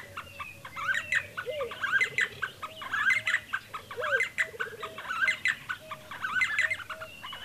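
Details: D'Arnaud's barbets (Trachyphonus darnaudii) near Lake Baringo repeat a busy, chattering phrase of mid-pitched notes about once a second, with lower, hollow notes mixed between.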